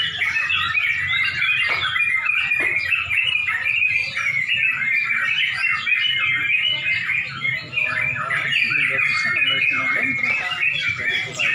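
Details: Several Sooty-headed bulbuls compete at a song contest in Pemalang toward dusk, their continuous chorus of bright whistles and chattering trills overlapping throughout with a low background hum.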